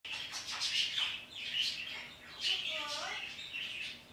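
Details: Pet parrot talking to the birds outside in the morning: bright, high chirps and short whistled notes in bursts, with a brief harmonic, voice-like phrase near the end.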